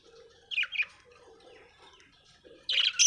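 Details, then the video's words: Australian budgerigar heard in two short bursts of high, scratchy chirping, one early and one at the end, with a quiet pause between and a faint low hum in the background. "budgie chirping sound"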